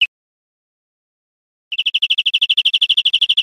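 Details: European greenfinch on a recording for educating caged birds: a clipped note, silence, then a quick, even trill of high notes that continues to the end.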